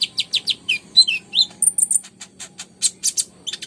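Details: Busy konin song used to get silent or stalled birds singing. Quick high chirps and slurred whistles run in fast succession, then a thin level whistle, then more sharp chips.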